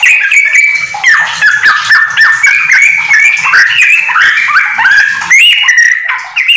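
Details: ['Rapid, unbroken song of a house-kept yellow-vented bulbul mixing in white-rumped shama phrases, a tutor recording for other bulbuls; dense chattering whistles with many short rising and falling slides.']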